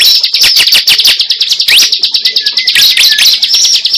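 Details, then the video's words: Cible lure call: rapid, regular volleys of thin high chirps, about three per second, with a few lower whistled slurs mixed in. "Pikat suara burung cible terbaru sangat ampuh"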